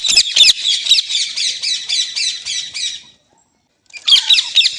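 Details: Parrot, likely a pet in India, giving a run of harsh buzzy squawks about two per second for three seconds, a brief silence, then more rasping squawks, in quiet surroundings.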